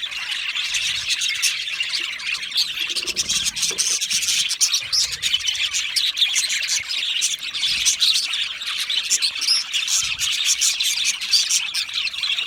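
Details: Continuous high-pitched twittering from a group of Australian budgie parrots in an aviary, made of countless fast chirps and scratchy notes blended into a steady busy chorus.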